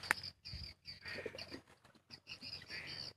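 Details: Edible-nest swiftlets responding in the daytime to a played lure sound give high, buzzy, chattering twitters in quick bursts of about half a second, separated by short pauses, with a few low thumps underneath.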